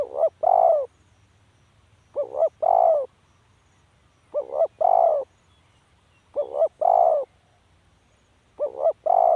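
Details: Spotted dove calling: a soft mellow pattern of two quick short coos followed by one longer, drawn-out coo, repeated about every two seconds, five times in a row, with a faint low hum behind.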